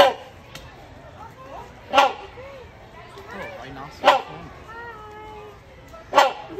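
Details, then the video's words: A rhinoceros hornbill at Kansas City Zoo gives loud, harsh honking notes, one about every two seconds, over a background of faint voices and chatter. "Rhinoceros Hornbills impressive call"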